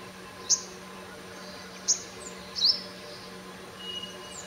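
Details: A sunbird at 5:30 AM gives thin, sharp, high chips, single or doubled, every second or so, over a steady low hum.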